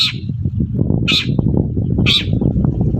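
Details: Harsh rasping notes from a long-tailed shrike in the morning, meant to draw answers from other shrikes. Three bursts come roughly a second apart above a loud, continuous low rumble.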